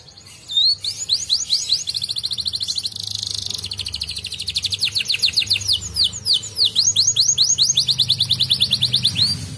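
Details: Canary singing, played to stimulate lazy canaries to sing: a rapid run of high rising sweeps, then long fast trills of repeated notes and a buzzy rolled section, with a faint low hum beneath.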